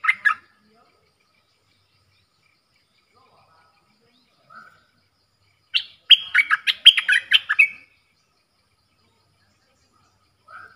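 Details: Red-whiskered bulbul, a caged bird singing the dok taeng style while dueling with wild birds, Thailand, 3 October 2021: one rich burst of quick, bubbling whistled notes after a brief chirp, then faint distant single notes amid quiet.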